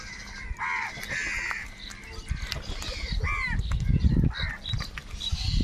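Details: Several harsh, hoarse caws from crows fighting for food, a long pair early then shorter grating calls later, partly covered by heavy low rumbling and knocking noise near the recorder.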